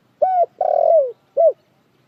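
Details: Spotted dove giving a single cooing phrase: a short clear coo, a longer rolling, slightly buzzy coo that slides down at the end, then a brief final coo, all low and mellow, with a quiet background.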